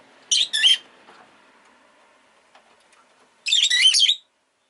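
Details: Rosy-faced lovebird, a pet, letting out a pair of harsh chattering squawks, then after a pause a longer grating burst, over a low steady background hum.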